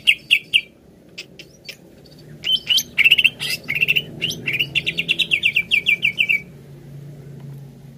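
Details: Greater green leafbird singing, used to stimulate a kept leafbird to sing: scattered high chirps and sharp clicks build into a rapid, steady run of about fifteen bright, even notes that ends abruptly.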